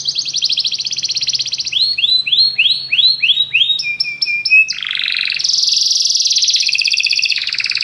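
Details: Several canaries singing together after hearing music: a fast buzzy trill, then a series of quick descending whistled slurs, a short repeated two-tone phrase, and a loud rolling high trill.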